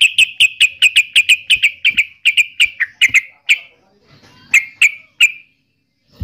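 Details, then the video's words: Yellow-vented bulbul, locally called trucukan or cerukcuk, giving a rapid series of short, bright chirping notes, about fourteen in the first three seconds, then a pause and three more clipped notes; a faint thump at the end. "Suara Burung Trucukan"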